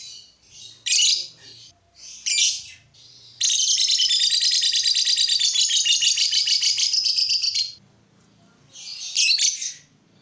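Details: A lovebird sings to spur others of its kind: scattered harsh squawks, a four-second run of rapid buzzy chatter, then more squawks.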